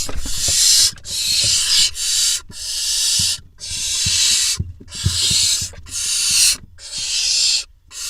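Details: Barn owl chicks in a nest box in Israel, 21 June 2021, when the male arrives with a vole: rasping hiss-screeches, roughly one per second, each about a second long and separated by brief gaps, with soft scuffling below.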